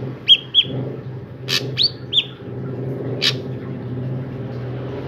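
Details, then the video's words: Singing drongo used to coax other drongos into song: short bright whistled notes, some in pairs and some upslurred, are broken by a few sharp noisy clicks. A low rumbling background runs steadily beneath. "Burung Srigunting Gacor I Ampuh Untuk Pancingan Burung Srigunting Agar Ikutan Gacor"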